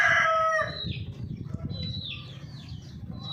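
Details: Golden Misri chicken giving a loud, harmonic, drawn-out call that ends abruptly, followed by thin whistled chirps of small birds and a steady low background hum.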